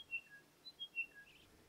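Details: In the Tanami Desert after two years of above-average rain, two Chiming Wedgebills sing together: one repeats quick, clear, high whistled notes stepping downward while the other inserts a shorter note, over faint hiss.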